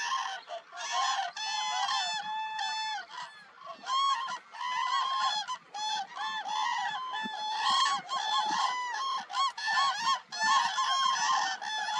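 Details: Wintering Demoiselle and Common Cranes near Nal Sarovar, Gujarat, India, in January 2021 call as a large flock, a dense overlapping chorus of loud, trumpeting, rolling calls that rise and fall without pause.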